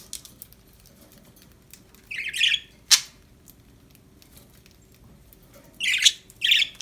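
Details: Happy budgerigars chirping: short raspy, buzzy chatter notes in a few separate bursts, one near the start and a pair of warbled phrases near the end, with quiet stretches between.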